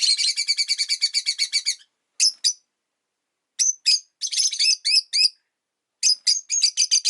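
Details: Pet rosy-faced lovebirds, five birds caged near a window, vocal through winter: a rapid rattling series of about fifteen harsh chirps opens, followed by scattered and clustered shrill squeaks after short gaps.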